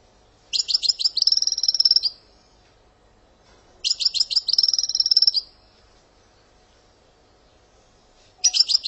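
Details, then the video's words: European goldfinch from Algeria singing a sortie and passade, with phrases called brrrt, gazarat, tiwawati, dawdaw, kiyakiya, sawsaw and djiw. Short bursts of stuttering notes run into a buzzy trill, each about 1.5 seconds, repeated roughly every 3.3 seconds, with quiet gaps between. "Sortie برررت ڨازرات تيواواطي + passade داوداو كياكيا صاوصاو دجيو canto jilguero argelia"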